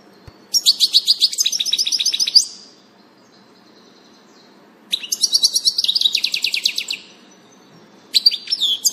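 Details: European goldfinch recorded on 16 June 2018, singing bursts of rapid tinkling, buzzy notes high in pitch, each phrase about two seconds long, separated by short pauses; a faint low background hum throughout.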